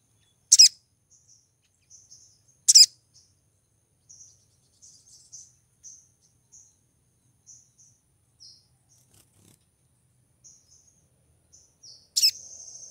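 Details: Female Brown-throated Sunbird in heat, calling to attract a male: two sharp high chirps early on, then a long run of soft, thin, scattered notes, and a final chirp that leads into a buzzy trill.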